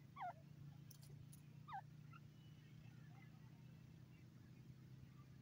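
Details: Wild grey francolin, called teetar, giving two loud twisting whistled notes about one and a half seconds apart, followed by fainter notes, over a constant low hum.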